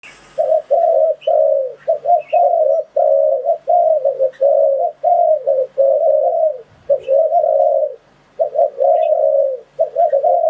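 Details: Spotted dove coo used as a lure call to trap wild doves. Low, mellow cooing phrases run almost without pause, broken by brief gaps, with each note steady and slightly wavering. The setting is quiet.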